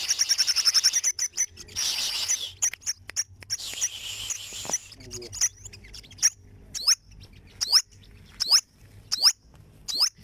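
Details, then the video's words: Olive-backed sunbird (burung madu sriganti) singing: opens with a fast high twittering trill, then hissy bursts, followed by sharp, thin, high swept notes repeated about every 0.7 seconds. "Olive Backed Sunbird Singing - Suara Burung Madu Sriganti"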